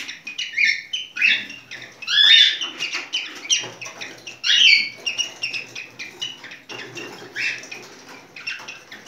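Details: Cockatiel giving mating song: a busy run of sharp chirps and whistles with several louder warbled phrases and short pauses between bursts.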